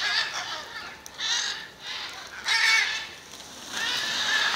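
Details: Macaws meeting in front of a house in Jaumave, Tamaulipas, in February 2015, uttering broad, hoarse screeches in separate bursts roughly every second.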